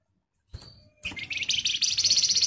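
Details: Flamboyan in energetic, tight rattling song, used as a lure to draw replies from other birds: a faint note, then a high buzzy trill that steadily builds in loudness and speed over about a second and a half.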